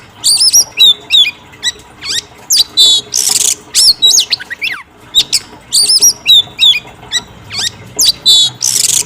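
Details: Singing female oriental magpie-robin, used to provoke a male: repeated sequence of high whistled notes, quick rising and falling sweeps, a long descending slur and harsh buzzy bursts, with phrases separated by brief pauses.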